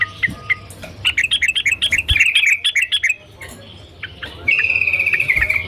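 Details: Sooty-headed bulbul in gacor song with a noisy background: a few soft notes, a quick burst of bubbly chattering, a pause, then a long rolling whistled trill.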